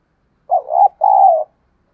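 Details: Decoy spotted dove calling wild doves closer, one clean two-syllable coo, the first part warbling upward and the second a drawn-out mellow tone tapering off, with no other sounds.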